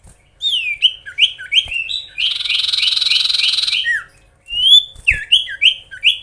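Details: Oriental magpie-robin in full song aimed at stirring rival birds: quick sweeping whistles, a long buzzy rattling passage of about a second and a half, then rapid slurred notes again.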